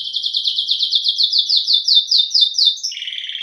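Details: ['Domestic canary, known as canário-do-reino, delivering a steady fast series of repeated high chipping syllables, about a dozen evenly spaced, ending in a brief lower buzzy trill.']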